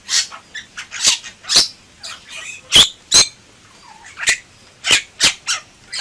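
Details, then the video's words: Bali myna singing gacor-style with loud scratchy squawks, sharp clicks and brief whistled notes, including a soft descending squeak, in irregular bursts roughly every half second. "Suara Burung Jalak Bali Gacor"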